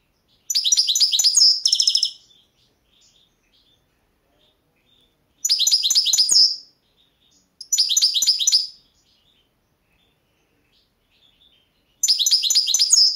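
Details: Competition song of a Balkan goldfinch, Carduelis carduelis balcanica, entered in the 2022 World Championship; four bursts of fast, bright twittering and buzzy trills, each lasting one to two seconds, separated by pauses of several seconds.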